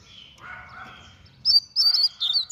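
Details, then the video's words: Rapid coleiro-style song from a double-collared seedeater: after a quiet buzzy start, a string of loud, high, sweeping whistles arrives in quick bursts. "COLEIRO RÁPIDO"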